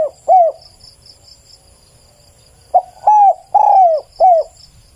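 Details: Spotted dove song with the tail end of one phrase, then a full four-coo phrase after a pause; the notes are low, mellow and downward-curving, recorded clearly for luring.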